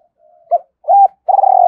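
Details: Spotted dove used as a decoy bird, cooing to stir up others: a faint low hum, then a short coo, a longer coo and a rolling, tremulous note, all low-pitched.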